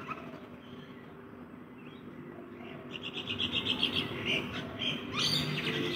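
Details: Rainbow lorikeets feeding in a backyard; after a quiet start, rapid overlapping harsh screechy chatter builds from about three seconds, with dense, high, grating bursts, over a steady low hum and soft lower cooing notes.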